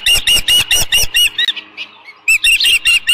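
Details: Osprey calling at a ranch nest on 13 June 2018 near midday, with leftover fish present: strong piercing whistled notes in rapid regular runs, a short break with softer sounds, then another burst.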